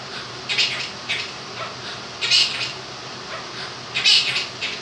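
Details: Male pet Quaker parrot, aged two, mimicking the words 'happy' and 'clap your hands'. Raspy, voice-like phrases come in three bursts about every one and a half seconds, with a fan humming steadily behind.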